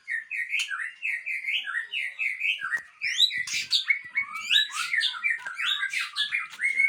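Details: Aceh white-rumped shama, billed as a super fighter, pours out a long, rapid medley of whistles, sharp clicks and high ringing notes without a break.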